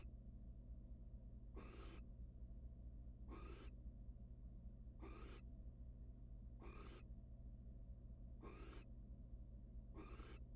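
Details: Wild barn owls in a research nest box, the male back without prey and the female turning her back; six harsh, broadband hissing screeches roughly every two seconds over a constant low mechanical hum.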